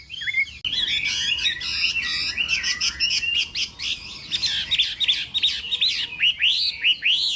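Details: Loud, dense song from a Chinese hwamei singing in the morning for a contest, with layered buzzy trills and tumbling notes ending in a series of rising, arched whistles.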